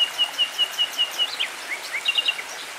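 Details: Nightingale beside a tranquil stream: a run of repeated high piping notes on one pitch, then a pause, a couple of downslurred whistles and a fast triple-note flourish, with faint water in the background.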